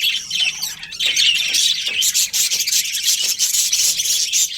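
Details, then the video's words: A colourful budgie colony in loud, unbroken chatter, many high twittering and warbling voices blending into a dense, shrill wash of sound. "Colourful Budgies Chirping Sounds"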